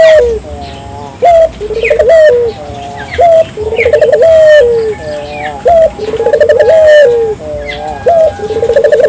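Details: Barbary dove singing persistently, played to stimulate local doves to sing: a run of mid-pitched rolling coos, each a level or slightly falling tone ending in a short rising lift, repeated in quick succession with brief gaps and faint higher chirps.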